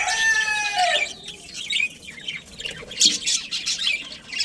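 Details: Budgie breeding colony: a long harmonic whistle-like call sweeps down, then scratchy overlapping chirps and chattering bursts follow, with one sharp louder note near the middle.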